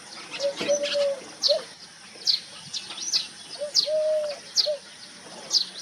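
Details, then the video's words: A wild dove gives soft, low, hollow coos, some short and some drawn out, while small birds repeat high, thin chirps about every second. "Dove cooing"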